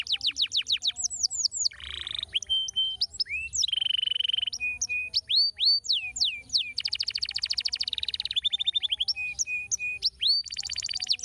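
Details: Canary song meant to stimulate other canaries into singing: rapid falling whistles, low buzzy rolls, looping notes and long fast trills following one another without break, varied in pitch, over a faint low hum.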